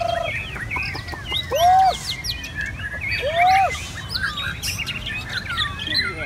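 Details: Red-whiskered bulbul singing: clear upslurred, arched whistled phrases near the middle, mixed with many other chirping and twittering birds in the background.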